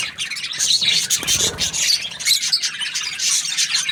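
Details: Cheerful budgie chirping, a rapid stream of high twittering notes and fleeting clear whistles, with a brief lower rustle near the middle.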